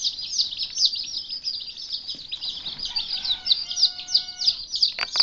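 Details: Baby Turken, or naked neck, chickens two days old, February 2010, on a farm: continuous shrill peeping from several chicks, quick irregular repeated notes, with a faint steady hum partway through and a soft knock near the end.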